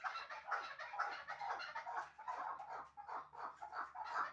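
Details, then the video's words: Hunting chukars from Shahritus, two birds known as 'mastak', deliver rhythmic chuck notes in quick pulses, roughly two a second, with a faint low hum beneath. "Кабки Шаҳритус"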